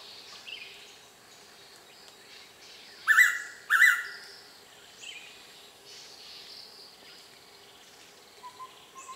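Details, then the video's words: A single tame Blue-winged Pitta calling from a nearby tree in Kaeng Krachan National Park, Thailand, a wet-season breeding visitor. It gives one loud, clear double whistle, two notes about 0.7 seconds apart, over soft chirps from other forest birds. "Blue-winged Pitta Call"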